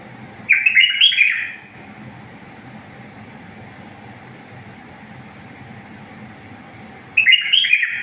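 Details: Two short warbled phrases from a bulbul in the wild style (tawr wahshi), recorded for teaching bulbuls, about six seconds apart, each a rapid run of bright chirping notes, with a steady low hum between them.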